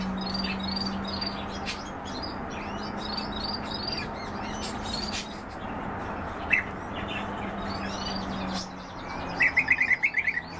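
European bee-eaters give short, liquid rolling chirps, several birds overlapping, ending in a louder quick run of calls, over a steady low hum.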